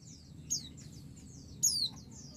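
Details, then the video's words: A female white-eye gives thin, very high, down-slurred notes, two sharper and louder, calling to a male to provoke him to answer; white-eye female call. "pleci betina memanggil jantan"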